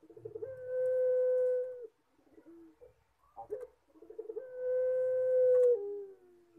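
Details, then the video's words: Collared dove singing in the long-drawn pelung style, with two loud sustained coos of about one and a half seconds each, each opened by rapid stuttered notes, the second ending in a lower drop. "PUTER PELUNG MANGGUNG - SUARA HOROR"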